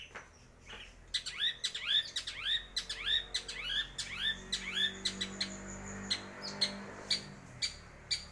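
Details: Long-tailed shrike, known locally as cendet, in a loud, full-power song: rapid series of arched, downslurred whistled notes repeated about twice per second, giving way to sharper clicking and chattering notes toward the end.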